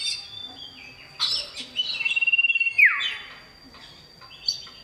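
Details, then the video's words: Male common iora in full song calling a female, used as a lure to set other ioras singing: bright high notes, a long level whistle that slurs sharply downward, then scattered chirps. "Cipoh Jantan Gacor Panggil Betina"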